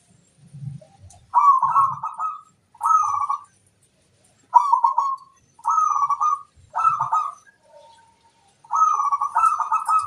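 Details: Zebra dove master song used to attract wild birds: six clear, bubbling trilled coo phrases about a second apart, with occasional high chirps from other birds and a little low cooing at the start.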